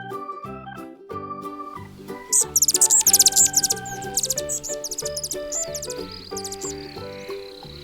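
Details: Hummingbird giving a rapid burst of very high, sharp chirps and ticks, densely packed for about a second, then trailing off into sparser notes, with music playing throughout.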